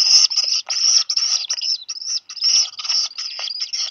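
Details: Black guillemot chicks on Seal Island National Wildlife Refuge, Maine, USA, in the afternoon of 8 July 2020, about two weeks after hatching; a chick has just dropped a fish. Harsh, wheezy squeals come in rapid uneven bursts, with short gaps.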